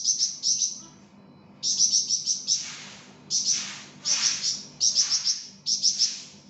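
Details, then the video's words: Flamboyan singing gacor, recorded as masteran tutor audio: repeated bursts of fast, thin, high-pitched chirping notes about a second long, separated by brief gaps, with clear sharp onsets to each phrase. "𝗯𝘂𝗿𝘂𝗻𝗴 𝗳𝗹𝗮𝗺𝗯𝗼𝘆𝗮𝗻 | 𝗳𝗹𝗮𝗺𝗯𝗼𝘆𝗮𝗻 𝗴𝗮𝗰𝗼𝗿"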